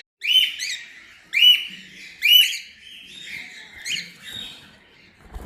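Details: Cockatiel giving three loud, sharp whistled chirps about a second apart, followed by softer rising and falling whistled notes trailing off.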